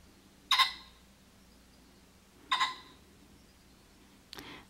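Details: Tame wild male Common Pheasant on a ranch in July, squawking for about 20 minutes: harsh, grating double squawks about two seconds apart, with a fainter third burst. Another rooster pheasant squawks far off. Low rumbling noise runs underneath.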